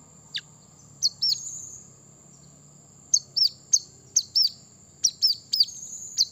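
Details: Brown-throated sunbird song aimed at provoking wild rivals: one sharp falling note, then bursts of high arched chirps, singly and in pairs, with a steady thin high hiss behind them.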